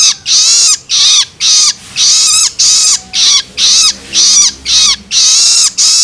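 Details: Juvenile long-tailed shrike begging to stimulate adults: continuous run of about eleven rough, hissing shrieks, nearly two per second, each with a slightly descending raspy tone.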